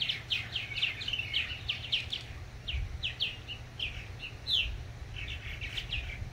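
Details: Adult purple martins calling to encourage newly fledged young: a steady stream of short, chirpy, gurgling notes in quick clusters, with low rumbling background noise.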